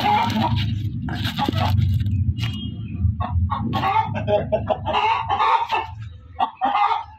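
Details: Hen calling loudly with harsh, broken cackles, bursts of clipped clucks crowding together toward the end over a strong low rumble in the background.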